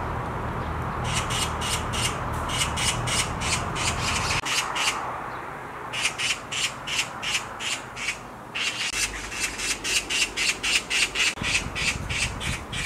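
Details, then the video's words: Harsh scratchy screams from a black magpie perched on a tree branch, delivered in fast bursts of rasping notes roughly four per second, separated by brief pauses, with a low rumbling background early on. "Black Magpie Screams on a Tree branch"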